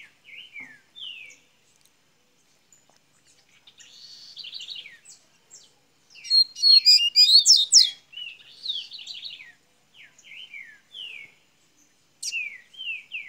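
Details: Double-collared seedeater from Minas Gerais, Brazil, opening its song: quick series of short downslurred chirps, then a dense burst of rapid buzzy notes in the middle, followed by more descending chirps.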